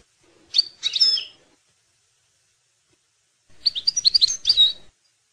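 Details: European goldfinch (maknin) song meant to train young goldfinches: a short chirped phrase, a pause of about two seconds, then a fast, jangling run of high twittering notes.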